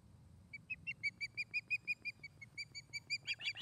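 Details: Osprey at a Charlo, Montana nest on an August 2018 afternoon gives a steady string of sharp, whistled chirps, roughly three per second, ending in a burst of rougher, excited notes, with faint low rumble beneath.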